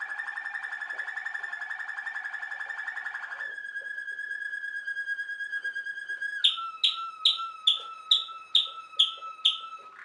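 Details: Waterslager canary, also called Malinois canary, a Belgian song canary bred for its water-like bubbling song: a long rolling trill, then a steady tone around one kilohertz, then a series of sharp repeated notes about twice a second.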